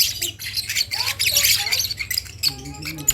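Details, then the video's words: Young lovebird chick learning to make sounds: bursts of harsh, high squawks, then a few short tonal squeaks near the end. "Ketika anak burung Lovebird belajar untuk bunyi"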